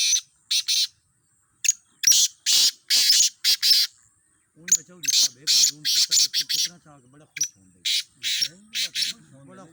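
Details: Black francolins compete in a fifteen-bird calling contest, giving repeated harsh, rasping bursts in quick rhythmic phrases. In the second half a man's voice talks beneath the calls.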